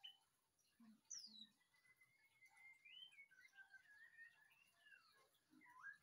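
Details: White-rumped shama singing: a long, steady whistled note flows into a warbling, rising and falling phrase. A few soft low notes and steady background hiss can be heard.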